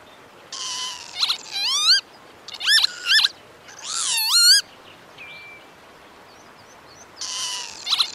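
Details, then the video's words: Northern lapwing giving wheezy, slurred 'pee-wit' calls that swoop up and down, in bursts every second or so, with a faint thin note between. "Northern Lapwing Song"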